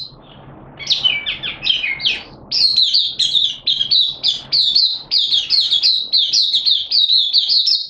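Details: Caged Malaysian Oriental white-eye (mata puteh) singing in an open, excited 'buka' display: rapid high twittering phrases of short warbled notes, hurried and continuous after a brief start, with faint low hum behind.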